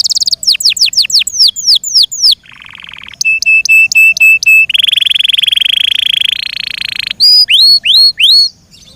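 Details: Yorkshire canary, a kept bird, singing a loud varied song: rapid falling whistled sweeps, a low buzzy burst, clipped repeated notes, a long dense rattling trill, then rising-falling upslurred whistles.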